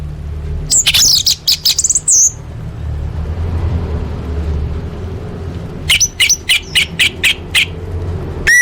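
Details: Competition-training song of an orange-headed thrush with full fill-ins: a dense cluster of harsh, high notes, a quiet pause, then a run of evenly spaced sharp chips and a final whistle.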